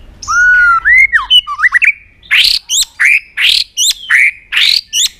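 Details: White-rumped shama, provoked into fighting song while flicking its tail on a perch: clear rising and falling whistles, then loud harsh buzzy notes with sharp chips, repeated roughly every half second.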